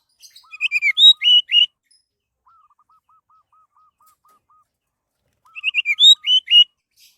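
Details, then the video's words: Orange-headed thrush song, a lure recording for prompting other birds to sing: two bursts of quick, rich whistled phrases, with a soft low run of evenly repeated piping notes in the gap. "SUARA BURUNG ANIS MERAH PALING TOKCER"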